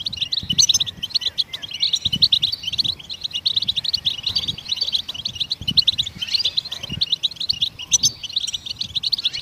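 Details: Goldfinch singing to stimulate other songbirds: fast, continuous twittering of high chirps and trills, dense and jumbled, with sharp accents scattered throughout; soft low thumps in the background.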